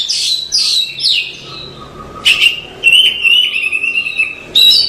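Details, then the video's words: Oriental magpie-robin singing masteran material for cage-bird training: several falling whistled slurs, then a sharp note leading into a steady, sustained warbling whistle, ending with another bright burst. "Suara Masteran Kacer"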